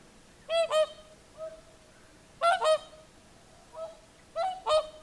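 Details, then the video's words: Whooper swans' evening singing at sunset on the shore of Lake Saimaa, Finland: loud, bugling, trumpet-like double honks repeated every two seconds or so, with softer single calls in between. "Swans singing at sunset"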